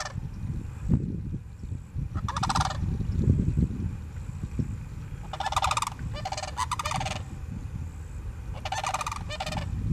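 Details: A sandhill crane pair at Harns Marsh, Lehigh Acres, Florida, gives rolling, rattling bugles in four bursts of about a second each, over steady low wind rumble.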